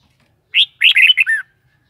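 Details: Red-whiskered bulbul song: a brief, crisp phrase of five lively whistled notes, the last slurring downward, with near silence around it.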